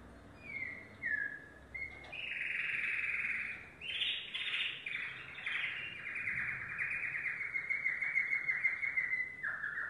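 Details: Yellow domestic canary song in varied tours: brief descending notes, then loud buzzy rapid trills higher in pitch, followed by softer rolling phrases and a lower closing note.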